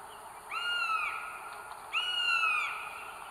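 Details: Northern goshawk female tending three eggs at the nest, North Estonia, 30 April 2022, filmed by a live nest camera: two loud, long arched wails with rich overtones, roughly one and a half seconds apart.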